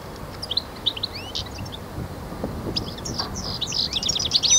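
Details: European goldfinch singing in the khalwi song style of Constantine, Algeria, 2012: scattered high, thin twittered notes and short slurred chirps, building into a denser burst of rapid twitters at the end, over low background hum.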